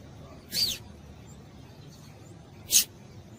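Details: Two brief, high, hissy chips about two seconds apart, the call of a female double-collared seedeater meant to excite males into song, over faint steady background noise.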